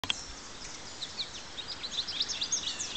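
Pine Siskin giving a thin, rapid twitter of high chirps and short slurred notes, coming in quick bursts over a soft background hiss.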